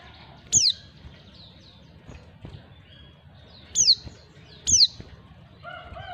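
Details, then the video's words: Female white-eye giving its call to attract males: three bright, high, downward-sweeping notes, the last two close together, over faint low rumbling, with a short wavering lower note at the end. "panggilan pleci betina. pleci jantan auto nyawut"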